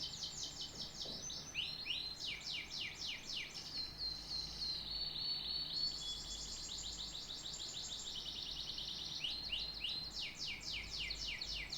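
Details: Canary song, long and varied: bursts of rapid high descending sweeps, a stretch of steady buzzy whistled trilling mid-phrase, then fast sweeping trills again, continuous and loud against a faint background hum.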